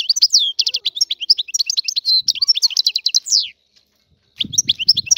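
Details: Free Algerian European goldfinch delivering fast, sparkling twitters and short buzzy trills, high and continuous for over three seconds, a brief silence, then renewed chatter over a low rumble.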